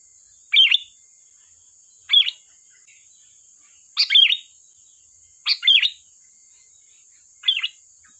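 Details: Sooty-headed bulbul, singing briskly as a lure, repeats short liquid chattering phrases five times in eight seconds at uneven spacing, with a steady faint high whine behind.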